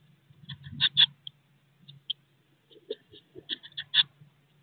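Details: Sixteen-day-old Eurasian blue tit nestlings in a nest box, close to fledging, give clusters of brief high peeping notes between pauses, over soft scuffling movements and a constant electrical hum.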